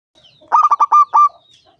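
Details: Five-year-old zebra dove of local wild stock, a frequent loud singer meant to lure other doves to sing; one phrase of about six staccato coos, the last two notes longer and evenly spaced.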